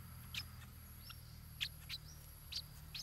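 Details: Stripe-throated bulbul chick in its nest, fed by its parents: short, sharp, high chirps given singly at irregular intervals over a steady low hum and a faint high whine.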